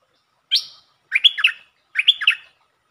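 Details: Streak-eared bulbul phrases, 13/02/2023: a single bright buzzy chirp, then two matching rippling phrases of quick warbled notes delivered back to back, the doubled pattern sharply repeated.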